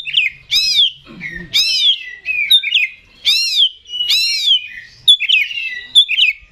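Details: Oriental magpie-robin, a kept contest songbird in full vigorous song, delivering loud arched whistled phrases that sweep up and down, repeated roughly once a second with short trills between.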